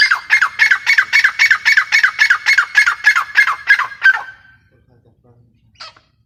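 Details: Grey francolin delivering a fast series of harsh, squawking notes, about four each second, steady for four seconds, then falling silent apart from one faint squeak.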